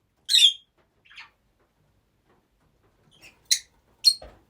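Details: Rosy-faced lovebirds kept several to a home, giving a few short, high, piercing squeaks separated by long quiet gaps.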